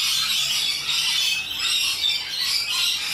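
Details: A short burst of wild Australian rainbow lorikeet noise: rasping, shrill squawks from many parrots layered into steady high chatter.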